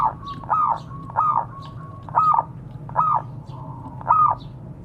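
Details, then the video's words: A local zebra dove calls to its companions, recorded as a lure sound. There are six rounded, bubbling coos about every 0.6 seconds, joined by a thin steady tone, over a low background hum. "Suara burung perkutut memanggil kawan."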